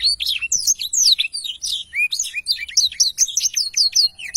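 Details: Black-throated canary in unbroken 'ngerol panjang' long roll: an even, rapid flow of bright whistled notes and tumbling trills throughout, very active singing.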